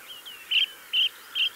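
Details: Mistle thrush singing from a gorse bush, with a blue tit and a yellowhammer nearby: three loud, short, clear notes in the upper-middle range, spaced about 0.4 seconds apart, after a few faint slurred whistles.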